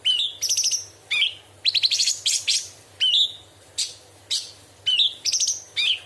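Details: Cucak cungkok bulbul giving a sharp, varied song with filled-in phrases, recorded for training other songbirds. A clear rising whistled note alternates with fast rattling bursts of high notes, repeated many times over six seconds.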